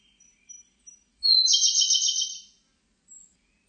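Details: Song of a Siberian blue robin from a 2020 national biological resources archive: soft, thin, high notes followed by a bright, fast, rattling trill held for about a second, then one short high note after a pause.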